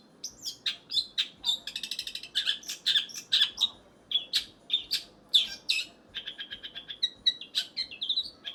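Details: Long-tailed shrike pouring out a lively varied song of sharp chirps, rapid trills and clear whistled notes, delivered in fast irregular bursts without pause.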